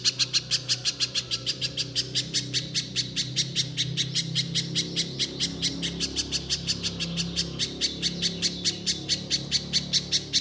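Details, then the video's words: Fast repeated high chips of a little spiderhunter's shooting song, around five per second, over a noticeable low mechanical hum. "Pijantung Pisang Gacor Mbeset Nembak Nembak"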